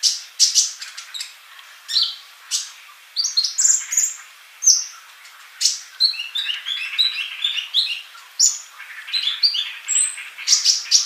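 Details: Sunbird singing in lively 'gacor' fashion, used as a training recording for songbirds: dense, high-pitched twittering of sharp chirps and thin trills in quick bursts, with brief pauses between phrases, over a quiet background.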